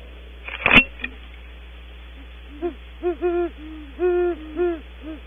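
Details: At Audubon Starr Ranch, great horned owls, female then male, call as they leave the nest cavity: a run of about seven soft, deep hoots in quick uneven rhythm, after a sharp knock at the start.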